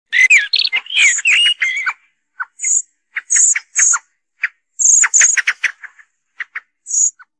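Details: Common blackbird song used as a hunting lure: low fluty, warbling phrases that run into high, thin squeaky twitters, then scattered clipped notes and sharp high squeaks with short pauses.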